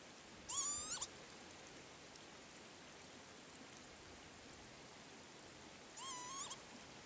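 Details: Male northern lapwing at the Azot biological ponds near the village of Berezhany: two drawn-out, nasal, upward-slurring wheezy whistles, rich in overtones, about five seconds apart over a steady background hiss.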